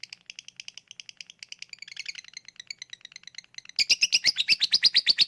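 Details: Lovebird switching from ngetik to ngekek, a lure for birds that are slow to sing: faint, quick twittering notes at first, then a sudden loud burst of rapid, harsh chatter near the end.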